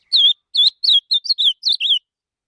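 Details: Ultramarine grosbeak singing while held in the hand: a quick run of about eight loud, clear whistled notes, each slurred down then up, separated by short gaps across two seconds. No other sounds.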